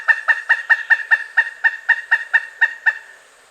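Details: Loud 'kuk-kuk-kuk' series from a Pileated woodpecker, a dozen ringing nasal notes delivered quickly, then stopping after about three seconds; no other sounds intrude.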